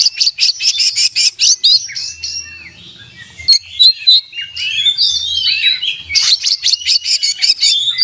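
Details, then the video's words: Full, rich oriental magpie-robin song with mimicked phrases. A rapid run of sharp repeated chips leads into twisting high whistles and scratchy warbles, then another fast burst of chips toward the end. "kacer gacor buka paruh full isian dan masteran"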